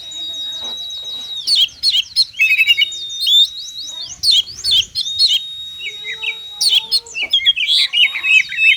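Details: Oriental magpie-robin in varied 'konslet' song, used as a lure for magpie-robins that will not sing: long level whistles with buzzy trills above, broken by rapid chips and twittering bursts, faint low hum.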